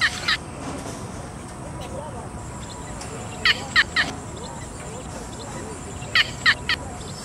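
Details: Yellow bittern (Ixobrychus sinensis) calling in rasping triplets, each note brief and dry, with groups spaced about three seconds apart above constant high-pitched insect hiss.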